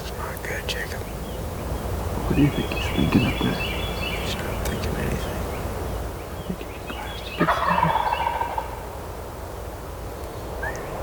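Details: Wild turkeys gobbling during a spring hunt on public land in Georgia; two rattling, rapid gobbles, one near the start and a louder one around the middle, with other birds' thin whistles and faint rustling between.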